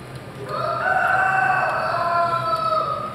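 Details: Caged Swiss chicken cockerel crowing at the Boncourt poultry exhibition in Switzerland, November 2012: a sustained, slightly wavering crow lasting over two seconds, with low hall noise behind.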